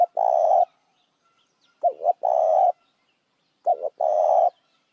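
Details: Spotted dove calling as a lure to draw other doves: low, hoarse cooing phrases of two short notes and one longer drawn-out coo, repeated about every two seconds with quiet gaps between.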